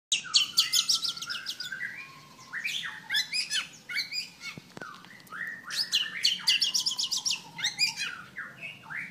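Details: An albino male Oriental magpie-robin, spreading its tail as if fighting, sings a rich, varied run of clear whistles, rapid chattering trills and scratchy notes in quick bursts, with a faint low hum behind.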